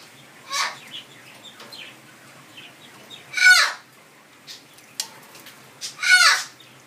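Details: Pet Amazon parrot warking indoors while a sun conure bathes nearby; two loud harsh squawking calls about three seconds apart, with fainter chatter between them.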